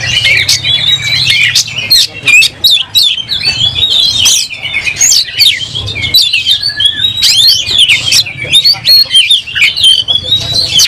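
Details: Oriental magpie-robin singing hard as it fights, tail fanned open and emotions running high: a long, nonstop tumble of loud whistles, scratchy chatters and sharp clicks, high and constantly changing.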